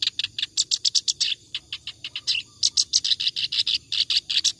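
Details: Rapid, non-stop ngacor song of a clamorous reed warbler, a tutor song for other birds: dense harsh chattering syllables delivered several per second, with a short lull near the middle before the loud chatter continues.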